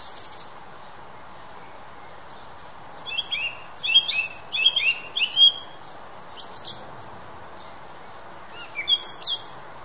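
Song thrush gives a short, bright phrase repeated four times in quick succession, then scattered sharper notes, over a steady low background hiss.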